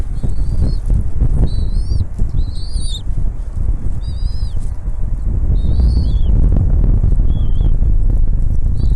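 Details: Bald eagle nest during a feeding by the mother: irregular high, squealing whistles, some rising and bending downward, clustered in the first half and sparser later, under heavy gusting wind.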